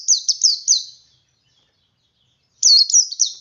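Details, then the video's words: Ngalas song from a male white-eye, meant to draw other white-eyes into song; a rapid triplet of high downslurred notes, a silent gap, then another fast run of bright falling chirps. "Suara Burung Pleci Jantan Ngalas Memancing Pleci Lain Ikut Ngalas"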